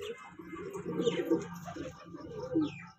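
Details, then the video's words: Low rolling coos from a young kanta kash breeding pair of pigeons, drawn out and throaty, over a steady low hum. "pigeon sound"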